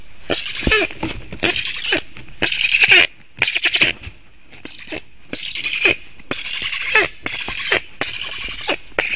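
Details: Begging young black stork on a nest watched by webcam in Latvia, 7 August 2018 around 11:37, when its father returns with food: rough, wheezy rasping calls in rapid series, several loud strained bursts, then a brief pause.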